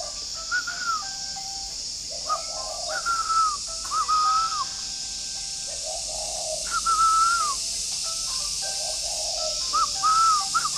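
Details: Spotted dove recorded one morning in a bird garden in Ba Vì, Hanoi, just after waking: short, low, rounded coo phrases every two seconds or so, each near a sliding whistle, with an insect drone behind.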